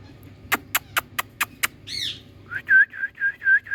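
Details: A rose-ringed parakeet (Indian ringneck, Psittacula krameri) gives six quick sharp clicks, a brief rising screech, then a run of five shrill, even squawks about half a second apart.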